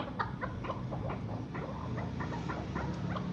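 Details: A ten-month-old male chukar partridge, first cross and bred in captivity, repeats brief clucking chuk notes roughly three times a second against a low electrical hum.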